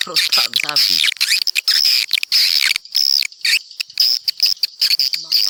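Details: Recording meant to attract swiftlets: continuous high, thin twittering and buzzy trills, with short pauses and a brief lower rattling note at the start.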